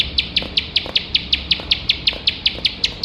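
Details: Training material for competition birds: a bar-winged prinia's rapid nembak song of shrill, clipped chips repeated in a steady, close-spaced series, roughly five per second, with light hiss behind.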